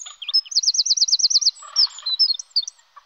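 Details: A pair of common kingfishers searching for a nest site: a fast trill of about eight shrill, high notes, then several sharp, piercing whistles.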